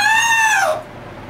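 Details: A pet yellow-naped amazon parrot sings Happy Birthday indoors. Heard here: one sustained, rich tonal note with strong overtones. It holds steady, then slides downward and stops after less than a second, followed by quiet room noise.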